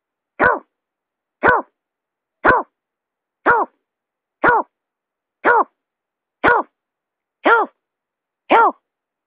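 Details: Lure call of a buttonquail, nine brief throaty notes with an arched, harmonic-rich shape, evenly spaced one second apart, clear and close with no other sounds.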